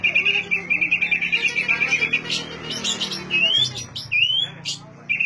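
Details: Oriental magpie-robin song used to prompt silent magpie-robins to sing: a fast run of repeated short notes, then varied whistled phrases with rising slurs, over a low background hum.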